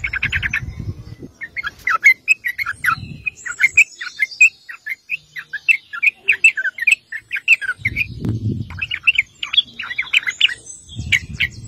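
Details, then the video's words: Sooty-headed bulbul (trucuk) in full ngeropel song used to lure other bulbuls into answering: dense, continuous chatter of quick varied chirps and trills, with bursts of low rumbling noise in between. "PANCINGAN TRUCUK GACOR NGEROPEL"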